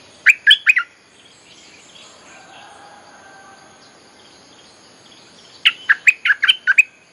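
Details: Bulbul song used as a lure for wild birds: a short cluster of sharp chirps, a long quiet gap with a faint steady hum, then a longer run of rapid bubbly chirps.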